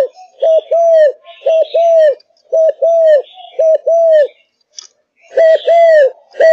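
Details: Caged Malaysian spotted dove in fired-up song: paired low coos, a short hiccup note then a rounder falling one, delivered in quick succession with a brief gap, and soft chirping from other birds behind.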